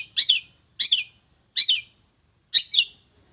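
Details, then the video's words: Young wild long-tailed shrike, tamed about three months and now vocal: four loud harsh double-noted squawks spaced by short silences. "Burung Cendet Muda Hutan Sudah Jinak Dan Gacor"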